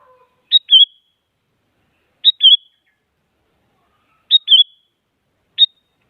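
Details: Sooty-headed bulbul singing actively to push rival bulbuls into answering song: short bubbly whistled phrases near the upper-middle pitch range, repeated about every two seconds with silent gaps, one clipped final note.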